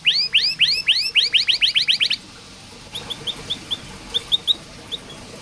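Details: Canary singing as a training recording for reluctant birds; a series of loud rising upswept notes quickening into a fast trill, then faint scattered high chips.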